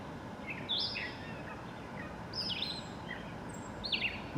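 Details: American Robin singing continuously one evening on the Cornell University campus, Ithaca, New York, 8 July 2015: short, clear whistled phrases, rising and falling, about one every second or two, over a steady outdoor hiss with faint higher chirps.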